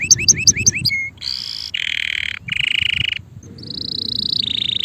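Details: Male canary in song, opening with quick paired chirps, then dense buzzy rattling trills broken by short gaps, ending in a long sustained high rolling trill that steps down in pitch.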